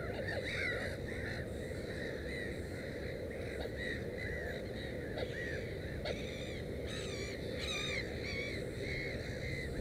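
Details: Black-headed gulls at a nest with three chicks give harsh, arched, nasal calls in quick overlapping bursts throughout, several birds calling at once, over steady low wind rumble.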